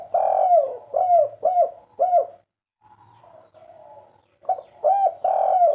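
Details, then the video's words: Pet spotted dove giving loud, full coos. A run of four hollow notes is followed by a brief soft murmur, then another strong burst of coos with a long slurred note. "BURUNG INI TEKUKUR/DERKUKU KUK 3"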